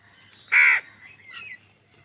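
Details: A single loud, rasping crow caw during a fight over food, followed by a fainter squeaky call.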